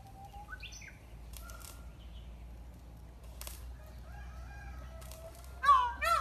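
A peafowl gives two loud, nasal, harmonic calls at the end, after softer chirping notes early on and several brief flapping or rustling bursts.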